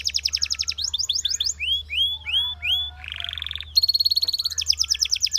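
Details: Belgian canary singing for canary training: fast pulsed trills, a run of arched whistled notes, a ringing steady tour, then more rapid rattles over a faint low hum.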